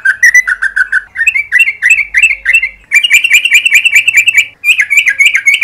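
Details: Yellow-vented bulbul in the morning, used as a lure to prompt long rapid trilling: loud bubbly chirped notes around two to three per second in quick runs with brief breaks, harmonic overtones, no other sounds.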